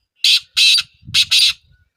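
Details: Black francolin phrase of four harsh, rasping notes in two pairs, loud and near, with faint low thumping or handling noise underneath.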